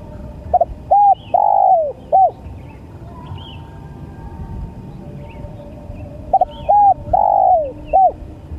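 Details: Spotted dove repeating its cooing phrase twice, about six seconds apart: stuttered double note, short arched coo, long downward-sliding coo, and a closing short note. Faint high twitters of other birds sound in between.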